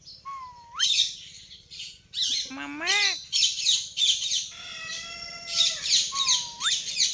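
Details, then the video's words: Pet Indian ringneck parrot vocalizing while eating: rising whistled notes, a harmonic-rich wavering squawk, and bursts of harsh chattering, some sustained steady tones in between, varied and irregular throughout. "Indian Ringneck Parrot Talking and Eating"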